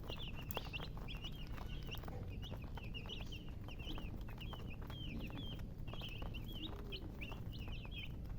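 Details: Chicks peeping in a dense, busy chorus of thin high chirps, each a quick falling or rising note, repeated without pause over background tapping and low hum.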